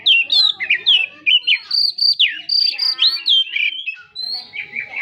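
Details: Oriental magpie-robin (kacer) in full, lively song, a recording played to rouse a silent kacer: fast run of clear whistled notes, sliding and rising phrases with quick buzzy trills, delivered in steady bursts without pause.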